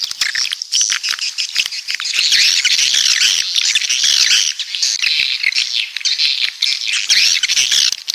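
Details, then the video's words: A crowded burst of shrill, buzzy swiftlet twittering, coastal birds from the south, with swooping chirps and short rattles layered tightly together. "Suara Walet Pantai Dari Selatan"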